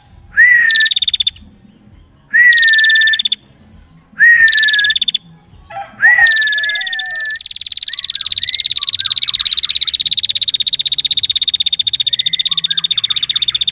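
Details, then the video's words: Chatty, densely calling female prinia gives four whistle-and-buzzy-trill phrases, then launches into a long, unbroken, high rattling trill lasting about seven seconds. "Masteran Burung Prenjak Betina Gacor l Bunyi Rapatt"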